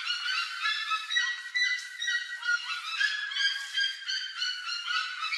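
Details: Plush-crested jays, several birds plundering corn from a trail: a dense, continuous chatter of nasal, honking calls rich in overtones, overlapping and repeated roughly two to three times a second with no pause.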